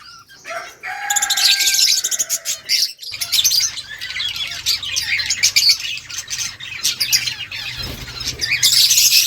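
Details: Rose-ringed parakeet chirping while eating green leaves: a short steady whistled tone early, then a long run of busy, high, scratchy chirps with a low hum underneath.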